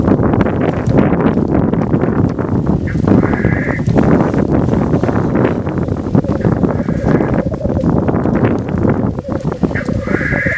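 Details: Black grouse in the Swiss Alps giving harsh, rushing hissed calls roughly every three to four seconds. These come over a steady low bubbling murmur and constant rough background noise.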